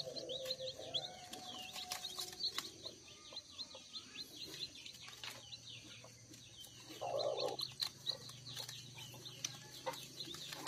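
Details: Many newly hatched one-day-old native village chicks at hatching time on a poultry farm. Thin, high, downward-sliding peeps repeat rapidly and overlap throughout. Low murmuring and handling knocks sound underneath.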